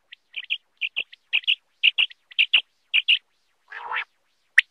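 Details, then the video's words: Quail singing, recorded in Khyber Pakhtunkhwa, Pakistan, in a hunting context: clipped paired chirping notes repeated in quick bursts, about two per second, with a harsher buzzy note near the end. "Batair ki awaz,,l,, Batair hunter Shikar,l, Quail singing batair"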